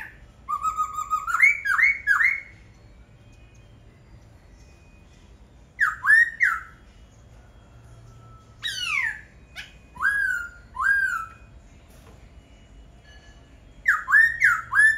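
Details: Laughingthrush song in repeated bursts: clusters of loud, rising and bending whistled notes separated by several seconds of quiet, with some sharply descending slurs mixed in.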